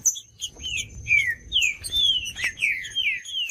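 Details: Green-winged saltator song for coaxing a cold caged bird to sing: a rapid string of loud whistles, each slurring down, with crisp chirps mixed in and a thin unbroken high tone underneath.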